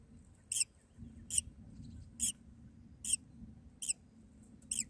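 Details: Myna nestlings calling while being fed by the mother in the nest; six scratchy, high squeaks spaced about three-quarters of a second apart, with quiet low rumble between.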